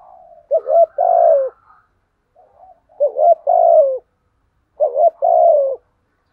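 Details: Caged decoy spotted dove cooing to lure and provoke wild doves: three low, mellow coo phrases, each a short rising note then a longer falling one, separated by roughly a second of silence in a quiet setting.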